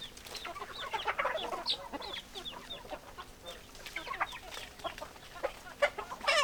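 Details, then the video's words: Hens cackle and cluck busily, many short rising and falling notes packed together, some higher squawky calls, with a sharp louder burst at the very end. "Chicken Sounds Noises Hens Clucking Roosters Crowing"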